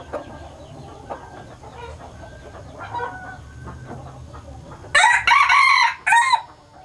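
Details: A male red junglefowl of a hybridized Laos strain, kept as a breeder, gives one abrupt crow near the end: a brassy, strained phrase broken into two parts, preceded by soft scattered calls and low background hum.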